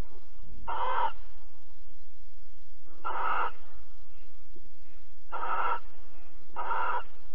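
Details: Barn owls mating and cuddling at Alphen, 22 April 2020, 21:37: four rasping hissed screeches, the first two widely spaced, the last two closer, plus a soft low thump near the start and a steady hum.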